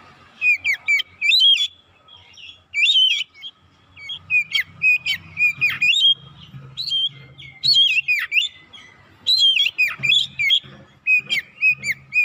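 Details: Oriental magpie-robin lure song, meant to provoke other birds: loud whistled phrases with sharp downward-swooping notes and harsh chatter, delivered in bursts about every one to two seconds over twelve seconds, with a faint low hum underneath.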